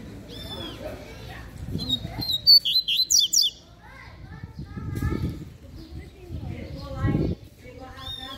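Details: A double-collared seedeater (coleiro) sings a 'fibra'-style song: a brief burst of bright, high twittering notes with a few rising whistles, while people talk nearby.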